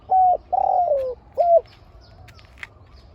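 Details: Spotted dove in a heated match between two aggressive birds at a decoy. A sustained coo is followed by a longer one that falls at its end, then a final short coo. Faint chirps from other birds sit in the background.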